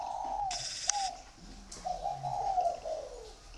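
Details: Spotted dove at a garden in Ba Vì, Hanoi, northern Vietnam, uttering soft, hollow coos. A lower murmuring coo runs beneath, and a brief hissing burst interrupts near the start.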